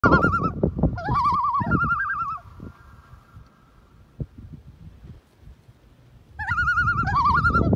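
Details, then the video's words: Common Loon, Minnesota's state bird, on open water on a cold, windy, snowy Minnesota day, gives quavering, wavering calls in two bursts with a quiet gap, over low rumbling wind or water noise. Common Loon. "Listen to the Loon calls."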